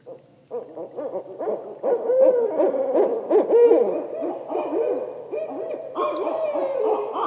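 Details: Barred owl ascending call: a quickening string of short hoots building to drawn-out notes. Overlapping hoots from a second caller continue throughout, making a dense, layered chorus.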